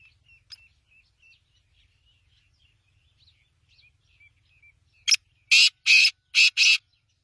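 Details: Faint thin chirps of small birds for five seconds, then a black francolin bursts in with a short note and four loud, grating, evenly spaced notes.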